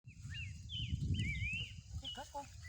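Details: Horsfield's babbler singing in the wild: slurred, rising whistles around mid-high pitch, several in quick succession, then a few lower short notes near the end, over a steady low rumble of background noise.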